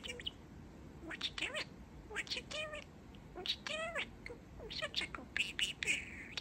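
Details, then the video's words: Young male pet budgerigar chattering and talking, sharing his new phrases: bursts of squeaky, harmonic speech-like syllables with rising and falling inflections, mixed with sharp clicks and short high chirps, in a quiet indoor room. "Talking Parakeet"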